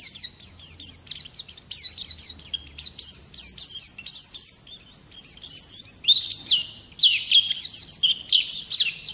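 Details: Oriental white-eye, ngalas type, delivering long continuous 'ngerol' song as training material: steady stream of quick, high, scratchy twitters and slurred whistles, barely pausing throughout.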